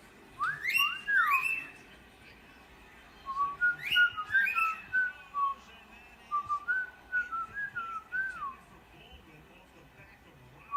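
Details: A male cockatiel, trying to attract a female, sings instead: a string of clear whistled notes sweeping up and down, with short pauses between phrases.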